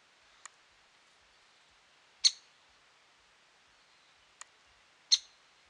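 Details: Great spotted woodpecker at Lake Tavatuy, Middle Urals, 17 June 2017: two strong, sharp 'kik' calls, with two thinner, fainter clicks before them, against a light hiss.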